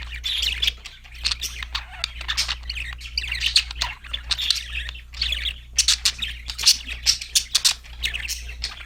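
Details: Budgies singing happily in a busy, continuous stream of scratchy chirps, clicks and warbled notes, with a steady low hum beneath.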